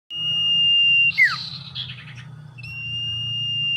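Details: A very tame, lively Common iora held as a cage bird gives a long, steady, high whistled note. The note ends in a sharp downward slur, then a short rough flutter follows before the long whistle starts again. A low hum runs underneath.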